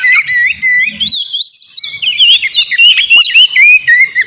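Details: White-rumped shama (kacer) in busy song aimed at a rival: smooth rising and falling whistles in rapid succession, roughly three to four notes per second, growing denser and more varied toward the end.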